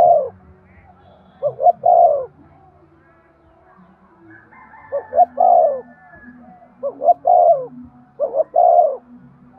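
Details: Low, soft cooing from a spotted dove, played to stimulate males to coo. Four phrases are spaced irregularly, each with brief pickup notes then a sustained mellow coo, over a faint low drone.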